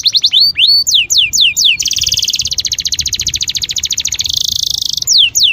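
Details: Canary in breeding condition, song played to stimulate mating: quick falling whistled notes, then a long fast buzzy trill of rapid repeated notes, ending with more falling whistles.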